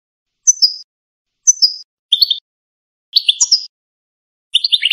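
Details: Authentic Algerian European goldfinch singing in the canto campero style: five short twittering phrases spaced about a second apart, the first ones high and clipped, the later ones lower, buzzier and more jangling, over a silent background.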